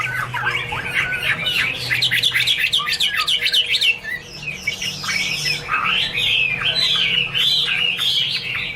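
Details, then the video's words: Chinese hwamei (Garrulax canorus) pouring out a fast, jumbled song of slurred whistles and harsher notes, with a brief dip near the middle before the varied phrases resume; low hum in the background. "Birds Garrulax canorus: Singer yellow mouth - wonderful birdsong"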